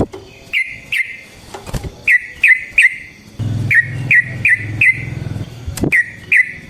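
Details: Vigorous sooty-headed bulbul song for luring and training other bulbuls: crisp whistled notes in small groups of two or three, with a low rumbling hum underneath during the middle section.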